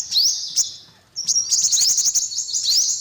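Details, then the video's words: Brief high, thin upslurred calls of an olive-backed sunbird, a short gap, then a rapid stuttering series of sharp chips running together. "tiếng chim hút mật 5 màu bụng vàng"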